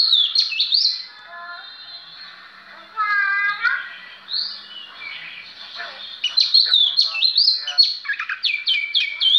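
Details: Oriental magpie-robin in full song, mixing high sweeping whistles with a softer stacked, harmonic phrase mid-way, then rapid bursts of looping whistled notes.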